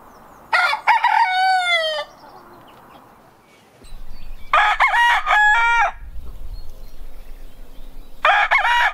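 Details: Rooster crows three times, each loud and harmonic with choppy broken syllables and a sliding, slightly falling ending, separated by quieter stretches of low rumble and background noise.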